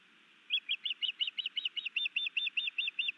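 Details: New male osprey's sky dance and fish delivery to his mate at a Hellgate Canyon nest, Missoula, Montana, May 2019: after a short pause, a steady, rapid string of about sixteen sharp, high whistled chirps, nearly seven per second.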